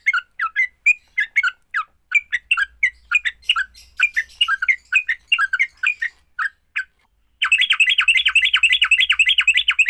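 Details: Yellow-vented bulbul fighting song, used to get other bulbuls singing fast: bright, bubbly chirped notes in short clusters, then a dense, steady burst of rapid repeated chirps over the last few seconds.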